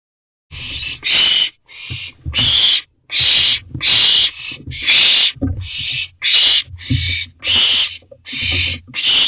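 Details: Barn owl owlet in a nest box at 2:43 am on 18 June 2023, begging for a vole just delivered: loud, harsh hissing screeches about half a second long, repeated almost without pause, with soft scuffling thumps between them.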